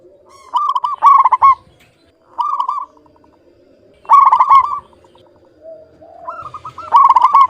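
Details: A local zebra dove calls persistently with a clean tone. Loud rolling phrases of rapid coo notes are spaced a few seconds apart, with softer trilled phrases and low murmuring coos between them.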